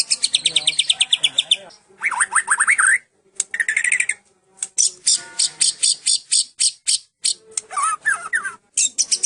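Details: Murai batu medan, a white-rumped shama of the Medan type, in full varied song with cililin: rapid repeated high chips, then rising whistled phrases and fast trills, broken by short pauses.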